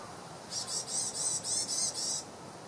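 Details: Varied tit ground calls in January 2014 at the East Gardens: a quick run of about seven high, hoarse, buzzy notes, roughly four per second, over faint background hiss.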